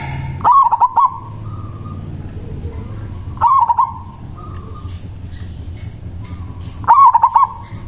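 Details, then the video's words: Local zebra dove singing in the manggung style, used as a lure to call rivals: three loud, hoarse cooing phrases of quick stuttered notes, about three seconds apart, over a faint steady tone and low background rumble. "Perkutut lokal Suara Besar Ampuh memanggil lawan Bunyi manggung Langsung Nyaut"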